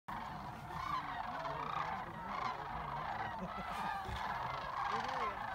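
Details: A large flock of sandhill cranes returning to Jasper-Pulaski from feeding in nearby fields fills the air with overlapping rolling, rattling bugles, an unbroken chorus of many birds calling at once.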